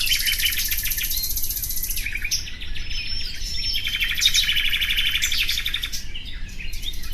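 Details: Bright rapid trilling from a common nightingale opens the passage, breaks into scattered chirps and a thin whistle, then returns to a loud, fast rattling series.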